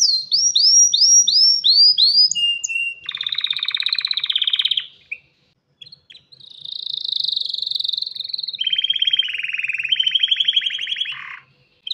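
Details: Male canary ready to breed, singing to call a female for mating: a rapid run of curved whistled notes, then long buzzy trills around the upper-middle range, a brief pause and another fast rattling trill.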